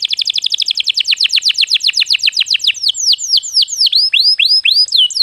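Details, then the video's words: Canary song used to coax other birds into song: a very rapid trill of downslurred notes that slows into separate, longer swooping whistles. "suara burung kenari untuk pancingan agar gacor"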